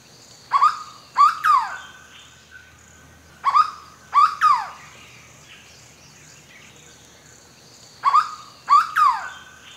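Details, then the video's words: Hooded berryeater from Brazil's forests, its onomatopoeic name taken from the song given at long intervals: loud phrases of three rising-falling notes repeated about every four seconds, over a quiet forest background. "Canto pássaro Corocoxó (Carpornis cucullata)"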